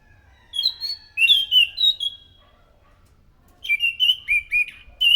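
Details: Scaly thrush singing loudly and clearly, its song used as a lure for other thrushes: two bursts of whistled, slurred notes, first about half a second to two seconds, then another from nearly four seconds, some rising and falling, over a quiet low hum.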